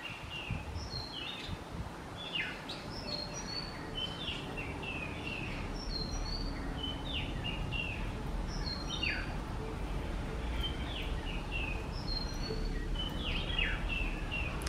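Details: Several white-rumped munias at a Kerala bird feeder keep up thin, high, downward-slurred chirps in loose bursts every second or two, beneath a continuous low rumble.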